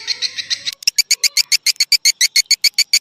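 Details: Swiftlet roosting lure, raja birahi version: after a blurred opening, crisp, separate high chirps repeat evenly, roughly five per second, clean against silence.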